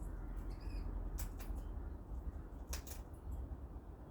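Cockatoos feeding: a few sharp crunching cracks, spaced about a second apart, over a steady low rumble of background noise.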